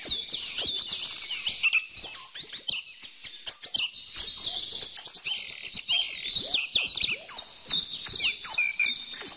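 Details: Many small birds chattering, high squeaky chirps and quick trills packed densely together, with faint clicks and taps beneath.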